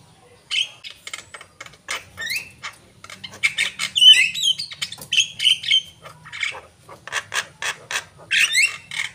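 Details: Javan myna singing energetically, a fast jumble of harsh, rasping chatter notes broken by short, bright whistled slurs and rising squeaks in irregular bursts, with brief pauses between phrases and a faint low hum underneath.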